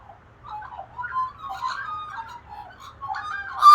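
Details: Australian magpies of a local flock carolling in the morning, their group vocalisations waking sleepers: rich overlapping warbled and fluted notes at mid pitch, rising and falling in quick phrases, ending on a louder, sharper burst.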